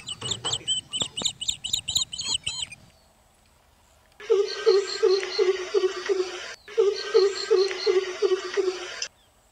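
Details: Greater coucal calling: a steady series of low, hollow hoots, quickly repeated in two runs of about two to five seconds each, with a short gap between. Thin high chirps from another bird come first, then a background hiss.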